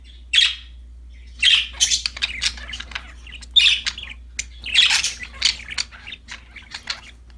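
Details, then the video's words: Happy budgerigars chirping while playing with a new toy, a flock of pets giving bright, scratchy chirps in irregular bursts roughly every second, with soft chatter between louder notes. "Happy budgies chirping for lonely birds, singing, playing with a new toy"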